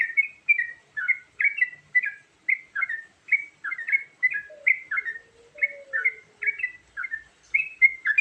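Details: A long sequence of rhythmic, liquid chirps from a yellow-vented bulbul singing a varied lure song, with a soft lower murmur in the middle.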